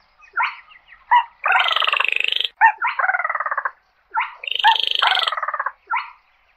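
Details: Slaty-breasted rail calling to its flock: sharp grating squawks lead into long, strongly pulsed buzzing rattles, the pattern repeating twice with short silences between.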